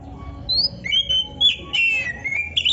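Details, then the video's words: Oriental magpie-robin (kacer) giving clear whistled phrases, some rising and some falling, with short pauses between them, as tutor song for training songbirds. "Suara Burung Kacer yang cocok untuk Latihan kicau"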